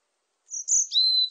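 Varied tit: two thin, very high whistled notes followed by a slightly lower, steady drawn-out whistle, all within about a second, against a quiet background.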